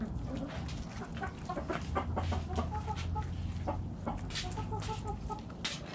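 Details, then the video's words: Backyard hens clucking while eating in the coop: many soft, short, repeated clucks from several birds over a steady low rumble of background noise. "Backyard Chickens Eating In The Coop! Hens Clucking Roosters Crowing"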